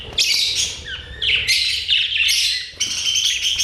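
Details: Budgerigars chirping continuously: dense, loud, scratchy high warbles and chatter in overlapping runs with brief breaks, busy and excited-sounding throughout.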